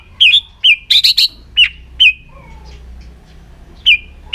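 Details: White-rumped shama in an aggressive, tail-flicking display meant to stimulate other birds: sharp whistled notes with quick down-up inflections, then a short burst of rapid chattery notes, with gaps of quiet between phrases.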